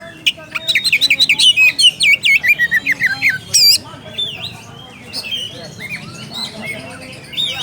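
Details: Oriental magpie-robin calling to a rival: a loud, fast burst of sharp whistled notes and rising sweeps, about a dozen in quick succession, then softer scattered phrases over a low background hum.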